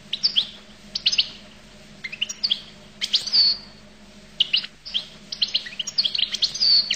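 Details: Goldfinch twittering in a scattered run of high chirps and sweeping whistled notes, with short clear slurs mixed among quick liquid notes. A low hum stays steady throughout.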